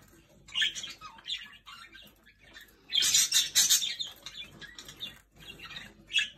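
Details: Several Jenday conures sharing bread, with soft scattered chirps, then a loud stretch of harsh, high-pitched screechy chatter and a final sharp squawk near the end.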